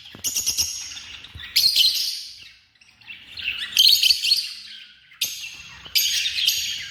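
Lovebirds chatter in shrill, buzzy, high-pitched bursts of chirps and squeaks, several overlapping in uneven clusters every second or two.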